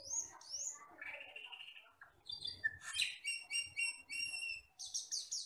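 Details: Asian glossy starling, a forest bird used for training songbirds, giving a jumbled song: slurred high whistles, a long descending buzzy note, then bursts of chattering harmonic chips and sharp rising squeaks.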